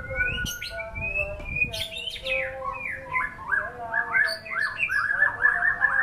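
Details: White-rumped shama song opening with long clear whistles, then breaking into rapid downslurred notes and a quick, rhythmic run of repeated chirping phrases.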